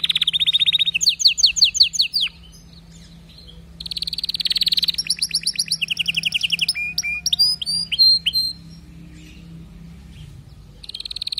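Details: Singing canary delivering bursts of rapid rolled trills separated by short pauses, mixed with sweeping whistled notes and clipped chirps, the phrases starting and stopping abruptly.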